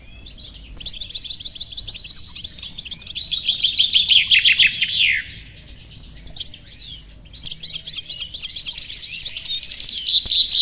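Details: Song of a goldfinch mule recorded in 2018: rapid liquid twitters swelling into a loud trilled phrase, then a brief drop to softer chatter before another rising trill with bright repeated notes.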